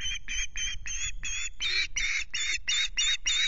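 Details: Osprey on the Loch Garten nest in Scotland, 26 May, nest-camera sound: eleven loud, harsh, slightly buzzy chirps in a brisk rhythm, growing stronger and fuller toward the end, with light wind beneath.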